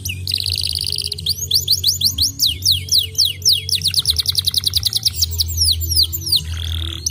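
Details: Canary song played as a lure to prompt other canaries to sing: fast, high, sweeping notes repeated in rapid trills that speed up and change pattern, ending in a shorter buzzy phrase, over a low steady background hum.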